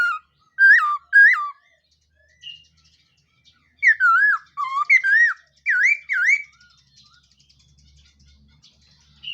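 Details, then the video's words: Black-throated laughingthrush practising its song at dawn: bursts of loud, looping whistles that swoop down and up, delivered in irregular groups of two to four, with pauses and a faint low hum near the end. "Khướu mun hót luyện giọng . Khướu hót sáng luyện giọng kích bổi"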